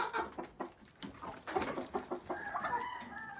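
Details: Chickens: a brown red cock let out to walk with hens that have not seen a mature cock in weeks. Short clucks come about every quarter second, then a drawn-out harmonic cackle rises near the end.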